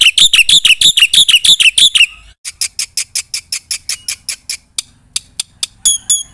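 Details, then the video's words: Black-winged myna in full 'isian' song: rapid, loud, grating notes for two seconds, followed by a steady train of thinner, high, ticking notes and closing whistled phrases. "Suara jalak putih GACOR full isian"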